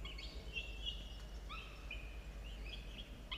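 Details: Two young falcons, 17 and 13 days old, at their nest early on the morning of 27 October 2022; a run of drawn-out, nasal, whining cries, each level or gently falling, with brief gaps, against a constant low rumble.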